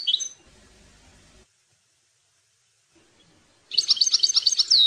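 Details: European goldfinch (maknin) tutoring song for young birds: a short twitter, hissy background and silence, then a fast, buzzy run of repeated tinkling notes ending in a downslurred whistle.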